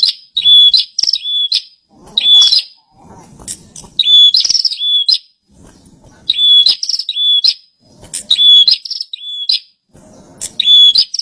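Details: Bar-winged prinia singing steadily: repeated paired phrases of a clear flat whistle flanked by buzzy, clipped notes, coming every two seconds or so, with low rustling and knocks between phrases.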